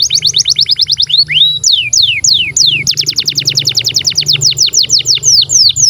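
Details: Long canary song for tutoring young and non-singing canaries: rapid downslurred notes, slower sweeping whistles, then a steady series of quick falling chirps, with a low hum beneath.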